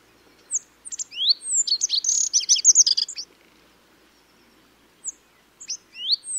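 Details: Bunting from Eurasian Russia: a quick burst of high, thin chirps and rising sweeps packed into about two seconds, then silence broken by a few scattered rising notes near the end; clean background.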